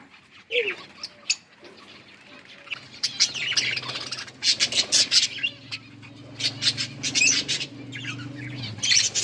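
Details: Several budgies in winter rain give scattered sharp chirps and clicks that build into dense chattering, with a low steady hum underneath.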